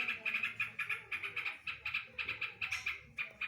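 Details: Yellow-vented bulbul singing a full imitation of the greater green leafbird's rapid 'drodot' bursts: clipped, ringing notes delivered in fast regular pulses, several per second, with short gaps.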